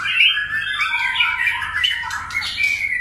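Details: White-rumped shama with a many-voiced song: a continuous, dense stream of gliding whistles and warbles, rising and falling, heavily reverberant, over a constant low hum.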